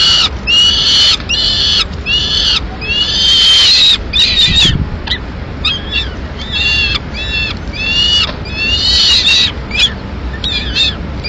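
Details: At a Madrid nest in May 2016 a female peregrine falcon feeds two chicks on pigeon. A long run of repeated harsh, quavering screams, roughly one every second, some drawn out and bending downward, over faint low rumble.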